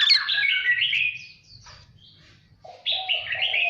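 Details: Voice-training song of a white-rumped shama: a bright burst of fast warbled whistles fading away, a short pause, then renewed phrases mixing high chattering notes with lower rolling whistles.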